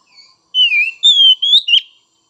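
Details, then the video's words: Oriental magpie-robin (kacer), an untrained spotted young bird, recorded to stimulate other birds. Four pure whistled notes: a falling one, a long level one, a rising one, then a short note with a sharp click. "Merangsang Kacer Bahan dan Trotol!!"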